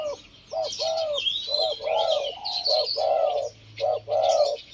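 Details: Two caged male Spotted Doves cooing together, one deep-voiced and one medium-voiced, kept caged for two years; short rounded coos repeated in rapid bursts, with higher chirping birds in the background.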